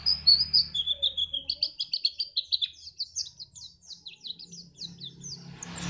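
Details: White-eye singing, used to prompt other birds to sing for contests: clear high whistled notes leading into a steady, accelerating series of sharp, down-slurred chirps, with faint low hum underneath.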